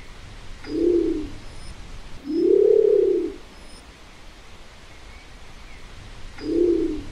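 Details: Nicobar pigeon giving deep, low hums: three separate coos, each rising then falling in a soft arch. The middle coo is longest at about a second, and a quiet pause separates the calls.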